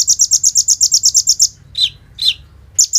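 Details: Sunbird known locally as kolibri ninja, singing vigorously with 'bren rambatan AK-47' fill, used as a training lure: about fourteen rapid high buzzy notes in a steady burst, then two separate downslurred chips and a fresh trill.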